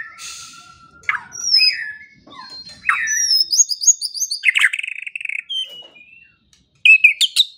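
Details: A white-rumped shama sings in a morning and evening training recording for songbirds: scattered whistles and slurred notes, a burst of rapid high rattling phrases, a brief silence, then sharp loud whistles.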